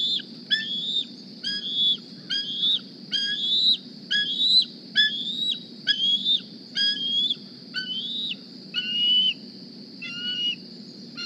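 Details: Hungry young bald eagle on its nest one morning, squeeing for a meal: a dozen high, rising, whistled cries in quick succession, the last few lower and weaker, with steady hiss behind.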